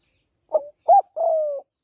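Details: Three soft coos from a female spotted dove calling to stimulate males, a short note, a rising arched note and a long burry note that falls slightly, in a quiet background.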